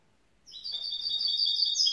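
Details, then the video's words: Young grey-blue goldfinch mule hybrid starting its song: a short burst of high, sustained twittering with a slightly nasal, buzzy quality begins after half a second of quiet and grows louder to the end. "Jeune mulet chardonneret gris bleu"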